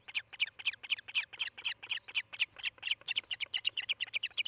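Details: From a nest cam in Charlo, Montana, morning of 18 July 2018: an osprey gives quick, clear, high whistled chirps about four per second, evenly spaced and loud.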